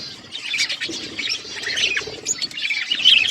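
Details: Pet budgerigars eating seeds, a group of caged birds chattering; continuous busy mix of high scratchy chirps, squawks and brief warbled notes overlapping without pause, louder toward the end.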